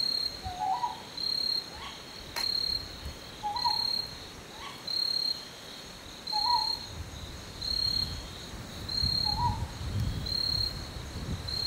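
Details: Northern boobook, subspecies Ninox japonica totogo, heard while foraging and preening: soft mellow hoots, paired notes returning roughly every three seconds, over a steady pulsing insect chorus and a brief rustle.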